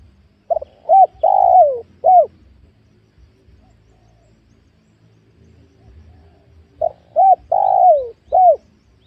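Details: Spotted dove during lure-trapping of wild birds on newly cleared small oil palm land: two low cooing phrases, each with short hooked coos around one long drawn coo, separated by about four seconds of quiet.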